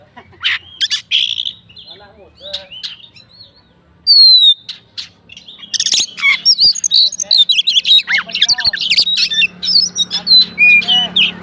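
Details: Oriental magpie-robin fighter song, used to provoke other magpie-robins into singing. A rich, varied run of high whistles, rapid chattering trills and buzzy notes, with a short pause midway, over a faint steady low hum.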